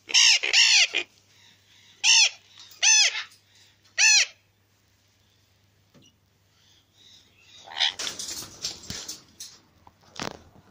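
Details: A recessive pied Alexandrine parakeet pair gives five loud, harsh, rising-and-falling screeches in the first four seconds, then scratchy rustling and softer chatter.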